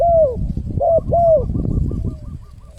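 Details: Spotted dove lure call meant to draw in wild birds, three soft downward-sliding coos followed by fainter repeated echo-like notes, with low background rumble.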